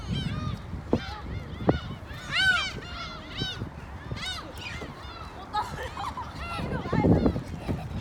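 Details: Many gulls in Korea crying together, a dense overlap of harsh, arched, wailing notes at varied pitches, some louder nearby, over a constant low rumble and scattered knocks.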